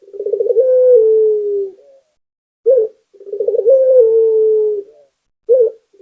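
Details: Local Barbary dove singing as a lure for other doves: two drawn-out coos, each beginning with a fast stuttering roll and easing into a soft low note, each followed by a short clipped coo.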